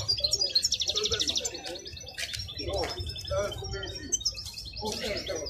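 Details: European goldfinch, wild-caught, heard at Al-Qurai'a bird market: an opening rapid buzzy trill followed by scattered sharp chirps, amid people talking and general market noise.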